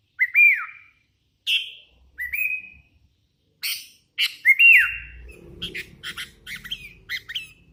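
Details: Sooty-headed bulbul, hand-reared and in strong voice, giving loud whistled phrases: sharp rising-falling notes separated by pauses, then a faster run of chirps, with low rumbling noise in the background.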